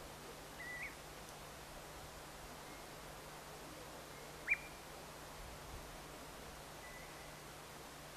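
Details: Common ringed plover, a passage migrant or winter visitor, gives three short, rising whistled calls spaced several seconds apart over a steady low hum and soft background noise; calling birds recorded in Finland.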